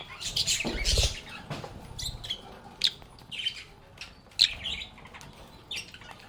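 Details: Lovebirds at play: an opening loud burst of shrill chattering with a low bump, then scattered single sharp chirps and short twitters spaced about a second apart over quiet rustling.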